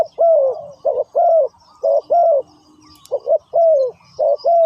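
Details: Decoy spotted dove set out on the ground to attract wild birds, cooing loudly: clipped double notes alternating with drawn-out falling coos, roughly one phrase a second, with faint bird twitters in the background.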